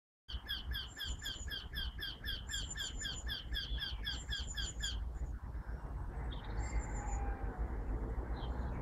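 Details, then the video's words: Eurasian wryneck (Jynx torquilla) singing in Parque Collserola, Barcelona, Spain, in 2012: a rapid run of about eighteen nasal, even-pitched 'quee' notes, roughly four per second, over steady low rumble; faint calls of other birds follow. "Canto de torcecuello"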